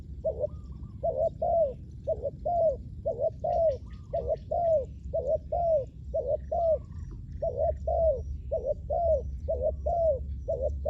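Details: Spotted dove heard while wild doves are lured on the ground. Regular repeated coos, roughly one per second, often doubled and falling at the end. Soft high twitters from other birds and a low rumble sit in the background.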